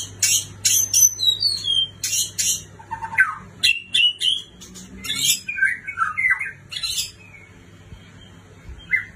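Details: A white-rumped shama from a neighbouring country delivering rapid bursts of sharp, high chattering notes mixed with quick whistled slurs and falling phrases, energetic and varied, over a faint low hum.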